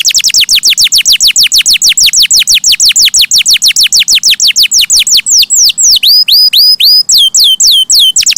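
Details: Canary in full song: a long rapid series of steeply falling high whistles, about three per second, shifting into rising and curling notes near the end.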